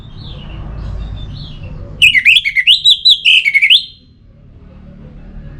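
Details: Orange-headed thrush, kept bird from Singaraja, North Bali, used to stimulate singing; a fast phrase of about a dozen loud clear whistled notes rising and falling, lasting roughly two seconds, over low background rumble.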